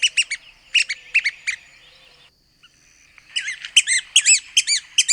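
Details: Red-cockaded woodpecker giving rapid clusters of harsh, nasal squeaky notes, a short pause, then a busier run of arched, chattering calls, possibly more than one bird.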